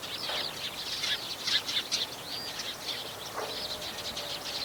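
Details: Meadow bunting singing lively in the reeds of a fallow rice field in spring, 19 April 2021; quick high chirps and short whistled notes crowd together. Pheasant, sparrows and skylarks were also calling nearby.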